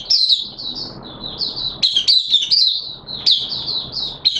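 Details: Opening song (buka sing) of a caged oriental white-eye, recorded in wet weather on 6 September 2022: a continuous thin, high chattering warble with quick slurred notes and occasional sharper upward flicks.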